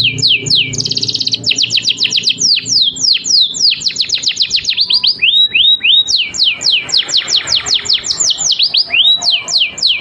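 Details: Canary master song to prompt other birds to sing, opening with a buzzy trill, then dense rapid falling whistles, a few slower upward-curving notes, and more quick repeated sweeps.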